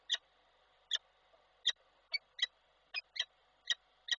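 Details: A male peregrine falcon summons the female at a camera-monitored site in Koszalin, Poland, 12 December 2023, giving around ten abrupt, scratchy chip notes spaced about half a second apart, a few closely paired.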